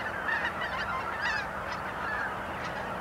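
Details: At dawn on a frozen morning at the Blankaart, a flock of greater white-fronted geese fills the air with overlapping high, yelping honks, a dense chorus of many birds calling at once.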